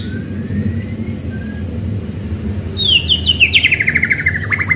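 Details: White-rumped shama singing fast to stir other shamas into song: a bright burst of high whistled and chattering notes in the second half, after a faint rising whistle, over a steady low rumble.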